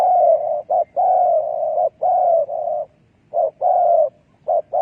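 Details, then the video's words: Decoy spotted dove used to trap doves, giving a dense series of long, level coos separated by short clipped notes, with one brief pause midway. "លលកធ្នាក់សម្លេងដេញព្រៃ Good Dove trap"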